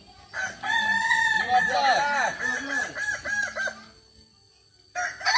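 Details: Kukuak Balenggek rooster at a group crowing practice held like a real contest, where the bird crowing most often in the set time wins; a long, multi-note stuttering crow of repeated arched syllables fades out, then another crow begins.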